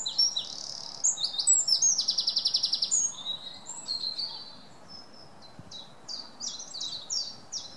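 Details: Wren singing a loud, rapid, high-pitched song: a jumble of sharp notes, then a fast rattling trill of about fifteen even notes, then a quieter run of short, clipped phrases, over faint low background noise.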